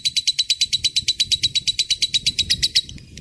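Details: Lovebird ngekek, the drawn-out chattering song used as a master track for magpie-robins and shamas. Evenly spaced piercing notes are repeated about six times a second, then stop abruptly, with a soft low hum beneath.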